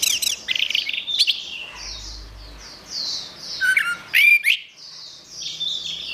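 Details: Orange-headed thrush song for training cage birds: soft warbled phrases broken by a few loud, ringing slurred whistles and sharp chips near the middle, faint hum behind.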